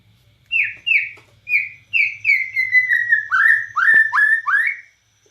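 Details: Borneo white-rumped shama in full song with cililin-style phrases: clear whistled notes, each falling in pitch, repeated about every half second, ending in a run of upward-swooping whistles.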